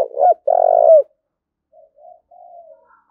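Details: Spotted dove fight-provoking coo. A loud phrase ending in a long rolling note comes first, then a much fainter, distant-sounding answering phrase of short notes and a trailing coo follows.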